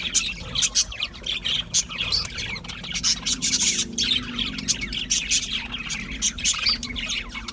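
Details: Budgerigars chirping in a steady, busy stream of short, high, scratchy notes and bright twitters, overlapping almost without pause, with faint low background hum.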